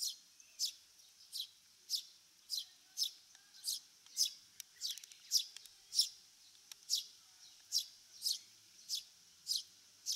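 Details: Eurasian Tree Sparrow of Japanese farmland, grassland and waterside habitats. Bright, short chirps repeat steadily, about one every two thirds of a second, with a brief cluster of softer ticks in the middle. The background is otherwise quiet.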